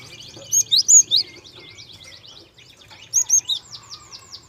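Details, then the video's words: Soft-voiced Java sparrow lure song for young birds. Four loud, ringing chirps lead into a fluttering, rapid trill, followed by three more bright squeaks and a descending series of clicking notes. "PANCINGAN BURUNG GELATIK SUARA HALUS . KEREN UNTUK MEMANCING SUARA GELATIK MUDA"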